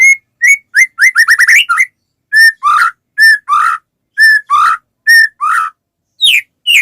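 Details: Lively white-rumped shama song used to set off singing in other shamas: quick whistled notes, then paired phrases of a steady whistle followed by a lower, buzzy, falling note, repeated several times.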